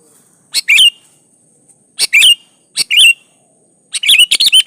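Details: Sooty-headed bulbul (kutilang) in lively 'gacor' song meant to lure bulbuls into singing: four sharp, bubbly chirp phrases at uneven intervals, the last a longer rapid chatter, with a steady thin high hum.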